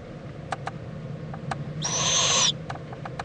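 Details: Owl at a nest in Indiantown, Florida, February 26, 2014, late morning, with mother and owlet preening; one hissing screech of under a second amid scattered soft clicks and scratches.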